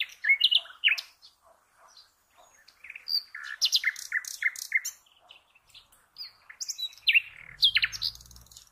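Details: Common nightingale in full song, meant for teaching cage birds: a continuous stream of varied phrases with fast repeated notes, rising whistles and rattling bursts, and a faint low rumble near the end.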